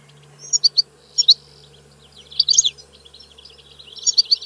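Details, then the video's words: European goldfinch singing in brief bursts of high, tinkling twitters, a few quick notes at a time separated by short pauses, over a faint steady hum. "Canto del Cardellino - Song of the goldfinch"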